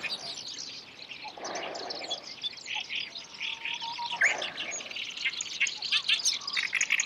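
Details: Black-browed reed warbler, seen catching an insect to eat; a long run of fast, scratchy chattering notes, harsh and varied, with a soft breathy rushing sound twice in the background and one faint low whistle.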